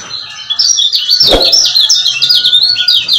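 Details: Male lemon-bellied white-eye from Lombok giving rapid ciak-ciak chirping, used as a lure to excite silent males into singing; fast high twittering notes, about four per second, with one sharp click near the middle.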